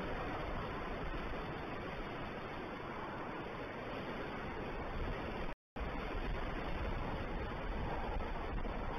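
Constant roaring wind or rumbling noise fills the recording, broken by a short moment of total silence, with no animal voice present.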